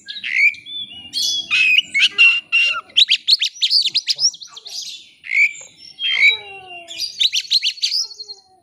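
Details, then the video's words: White-rumped shama in full varied song, played to draw a rival bird into singing: loud rising whistles, scratchy chattering bursts, quick repeated notes and mimic-like squawks in a dense, continuous stream. "kacer ngeplay cari lawan. pancingan kacer agar bongkar isian.!!!"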